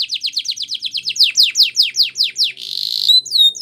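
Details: Belgian canary singing a training song: a series of loud falling whistled notes at an even pace, then a rapid buzzy trill and a few sweeping whistles.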